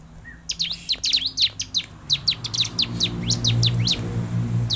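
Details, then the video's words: Bar-winged prinia song used as a lure to get caged birds singing: rapid bursts of sharp, high, downslurred chirps, some doubled, over a steady low hum in the background. "Suara ciblek 3 in 1 paling ampuh di jadikan pancingan ciblek agar cepat bunyi|| ciblek gacor"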